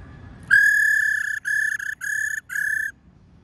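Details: A female laughingthrush's 'rò' call, used to provoke wild-caught males: one long, steady, pure whistle, then three shorter identical whistles in a rhythmic series, against quiet background hiss.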